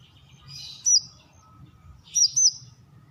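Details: Brown-throated sunbird giving two short high calls, the second a quick doubled note, with faint other high twittering between them.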